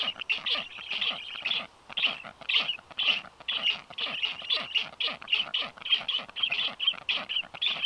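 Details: On 9 July 2023 a strange black stork lands on a nest balcony, soon joined by a second; a long series of harsh, breathy calls repeats just under twice a second.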